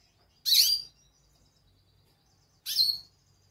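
A goldfinch gives two bright, high, twittering calls about two seconds apart, each lasting about half a second, against a quiet background.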